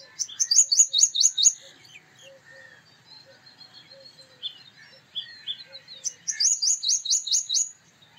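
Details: Male purple sunbird singing: bursts of rapid, high metallic notes in a quick rattling series, a pause filled with softer scattered chips and twitters, then another fast ringing burst near the end.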